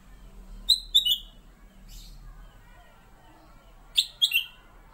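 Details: Black-capped bulbul, a captive bird called kutilang emas and used as a master singer for magpie-robins, gives two brief whistled phrases. Each is a sharp high note, then a lower slurred whistle, separated by about three seconds.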